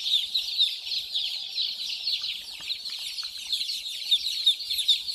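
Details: Small white chicks running, playing and drinking water; a dense chorus of many high, thin peeping chirps overlapping continuously, with faint soft knocks and scuffs below.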